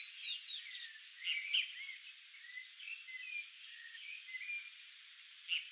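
Sayaca tanager song: a rapid, squeaky jumble of thin high notes, loudest at the start, then softer twittering phrases over faint background hiss.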